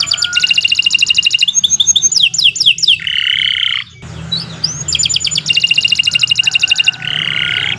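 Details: Canary lure song meant for training birds: dense rattling trills, tumbling whistled slurs and a buzzy nasal phrase, repeated in a varied sequence with faint low background hum.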